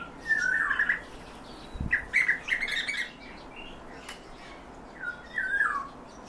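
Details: European bee-eaters held in captivity utter rolling, liquid trilled calls in three separate bursts, the middle one louder and more clustered. Faint higher chirps and a brief low thump occur between them.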